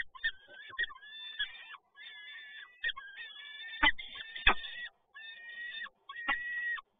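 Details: Male peregrine falcon arriving with another prey delivery at PGE Toruń, Poland, 7 May 2022: a run of nasal, harmonic wails and clipped notes, repeated roughly every second, broken by loud knocking thuds.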